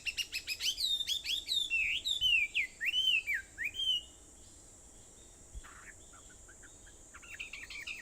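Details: Dawn chorus on Aobayama in Sendai, 4:30 a.m., 21 July 2014: a dense run of bright, swooping whistled notes for about four seconds, then near quiet with a soft distant call and faint high chirps at the end.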